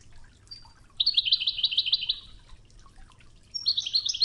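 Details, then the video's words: Goldfinch wadani-style training song over flowing river water; a thin high whistle leads into fast, jingling twittered phrases, then a pause before another high note and a second quick tinkling burst. "الشريط الويداني الأصلي توغزة بنغمات خرير مياه الأنهار"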